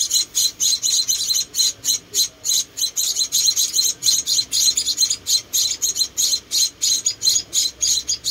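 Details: Four small rescued munia chicks at feeding time, uttering quick high-pitched squeaky chirps, about three or four each second, in a steady, slightly uneven stream.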